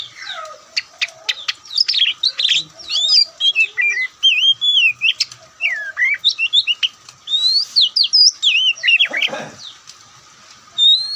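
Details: Kacer, the white-breasted Oriental magpie-robin, opens with a string of sharp clicks, then a fast stream of looping whistles and warbled phrases, with a short break near the end.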